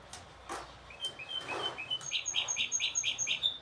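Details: Goldfinch hybrid song from a group of birds: short high chirps at first, then a quick series of bright, evenly spaced twittering notes with a sustained thin whistle above.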